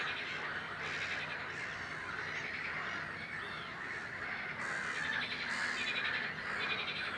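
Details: Great crested grebe, subspecies cristatus, Zoutleeuw, Belgium, May 2016: rough, rattling calls in separate bursts, louder toward the end, among a thick, steady chorus of other waterbirds and songbirds.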